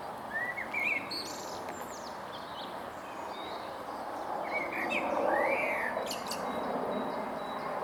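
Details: Male common blackbird singing in April from a tall tree stump on the Huys te Warmont Estate, 22 April 2022; short mellow warbled phrases near the start and again around five to six seconds, with other birds faint behind.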